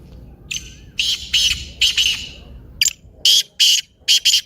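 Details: Black francolin calling, intended to set a silent francolin calling: a lively sequence of about ten harsh, grating notes in irregular groups, loud against low background hum.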